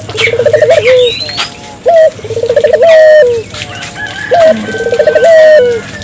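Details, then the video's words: Lure recording of a Barbary dove cooing energetically to prompt local doves to join in; fluttering, rippling coo phrases closing on a long sliding note, three phrases in six seconds, small birds twittering faintly behind. "suara burung puter gacor,merangsang burung puter lokal ikut gacor"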